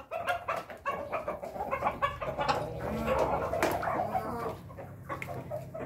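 A Pelung rooster: a run of quick, stuttering clucking notes swells into a drawn-out, wavering crow that fades out. A low hum sits beneath.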